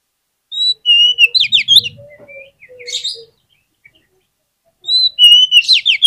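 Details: Lure song of an oriental magpie-robin, meant to set other magpie-robins singing. High whistles lead into fast downslurred buzzy trills, softer chattering notes follow, and the whistle-and-trill phrase returns after a pause.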